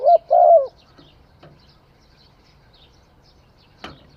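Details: Spotted dove song opening with a brief low coo and then a longer, throaty rolling coo, followed by near silence and a single sharp click.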